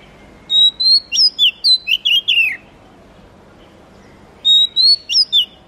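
An Oriental magpie-robin sings a two-second run of clear, high whistles and slurred notes, then repeats the phrase after a brief pause. A quiet background.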